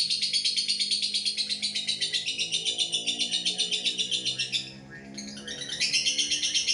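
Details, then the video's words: Long ngekek trill from a lovebird: loud, high, buzzy chattering pulses repeating about four per second, a short pause near the end, then the rattle resumes, over a low steady hum. "LB ngekek panjang"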